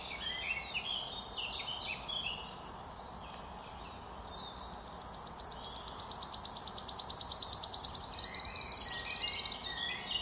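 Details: Wood warbler recorded in 2022, opening with scattered high chirps before a loud accelerating series of ticking notes that merges into a fast shivering trill and ends in a brief buzzy sustained trill.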